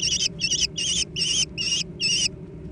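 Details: A brief burst from young American kestrels fighting over food: six harsh, wobbling screeches, each lasting roughly a quarter second, spaced evenly, then silence apart from a faint low hum.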